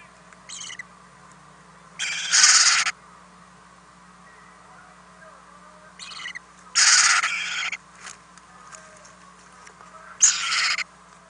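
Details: Overnight in an owl nest house where owlets receive food deliveries, April 2018: three rasping hiss bursts at intervals of roughly four seconds, each preceded by a short softer rasp, over a steady hum.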